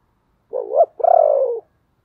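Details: ['Spotted dove kept as a decoy, cooing to bring in wild doves: one phrase of a wavering rising coo followed by a longer, pulsing coo that slowly falls.']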